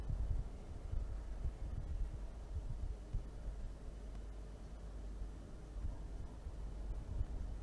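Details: Low rumbling hum with soft handling bumps and no animal calls.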